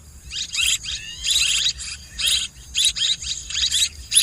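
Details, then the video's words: Swiftlet twittering: rasping, high chirps, some sliding down in pitch, delivered in uneven clusters with short silences, over a faint low hum. "ສຽງນົກແອ່ນ ຄໍເລດ Tiếng én, Tiếng Chim Én เสืยงนกแอ่น คอเลด"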